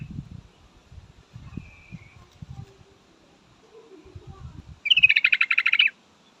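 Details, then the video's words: Female yellow-vented bulbul calling to a male: after low rumbling handling noise, a fast, bubbly, chattering run of about a dozen even notes bursts out near the end and lasts roughly a second. "suara trucukan betina full memanggil jantan"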